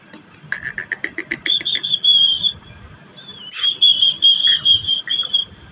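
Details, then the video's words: Green talking parrot from Pakistan giving a quick run of short chirps, then drawn-out clear whistles near one steady pitch. A sharp burst breaks in midway, and the whistled notes follow again in a pulsing series. "the sweet voice of the green parrot,talking pakistani parrot"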